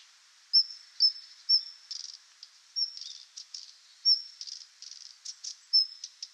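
Daurian Redstart giving thin, high whistled 'hiit' notes about every half second, mixed with dry, scratchy clicking bursts. No other sounds stand out.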